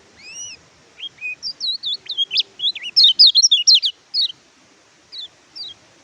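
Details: Caged Oriental white-eye (pleci) song recorded as a tutor for birds silent from moulting or new capture: opening sweet whistled slurs, then a fast, excited run of high twittering zigzag notes, about two per second, fading to sparse chirps.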